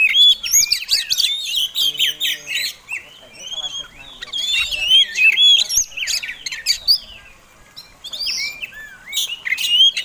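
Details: Fighting Oriental magpie-robin used as a lure to provoke rival birds, singing dense bursts of whistled slurs, chips and harsh clicks, phrases separated by short gaps, with faint low murmurs behind.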